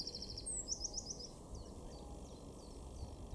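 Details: Eurasian wren in a garden in Weener, East Frisia, Germany, April 2024: a brief, fast, high, metallic trill at the opening, followed by scattered thin ticking notes against a steady low hum.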